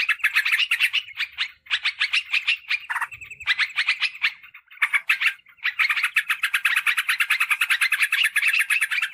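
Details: Bulbul lure call, sooty-headed bulbul, for calling wild birds in forest or garden: long bouts of rapid, bubbly chatter, pausing briefly, then a very fast, even trill of notes in the final seconds.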